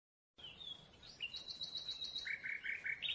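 Grey-headed bullfinch giving a thin high whistle, then a quick run of high chirps and a few lower slurred notes, over faint background hiss.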